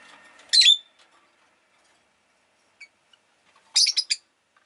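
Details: Rosy-faced lovebird kept as a pet, uttering a sharp rasping chirp, then a faint tick, then a quick cluster of three or four shrill chirps; soft low murmur at the start.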